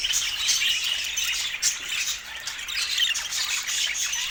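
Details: Lively high chatter from pet budgerigars: overlapping squawks and tweets with several clear short whistles early on, briefly dipping quieter around the midpoint before resuming.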